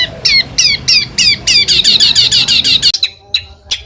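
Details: Small bird song with harsh bursts (tembakan kasar), compiled as a training recording for competition songbirds: bright down-slurred double notes repeated about three times a second, then an abrupt cut to sparse sharp ticks.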